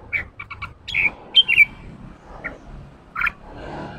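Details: Red-whiskered bulbul, a newly caught wild bird, being stirred into ché singing. It gives short chips, then clear whistled slurs and a pair of brief rising notes, with quiet pauses between phrases.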